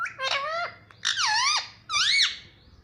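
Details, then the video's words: {'caption': 'Talking parrot saying mummy papa in a small room, three quick harmonic, speech-like syllables that dip and rise, delivered loudly in close succession.'} "Mummy Papa Bolne Wala Tota || Talking Parrot || Pattu Parrot Talking"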